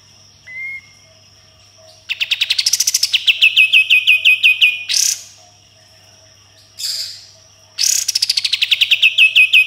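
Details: Captive sooty-headed bulbul kept as a songbird, in a loud aggressive singing style; bursts of rapid repeated sharp notes descending into rattling trills, separated by pauses, with a steady high electronic whine behind.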